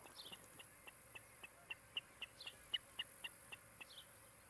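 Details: Osprey at a nest in Charlo, Montana, filmed by a nest camera on 16 July 2018: a quiet string of thin, high peeping notes, spaced irregularly, growing slightly louder mid-series, over faint background hiss.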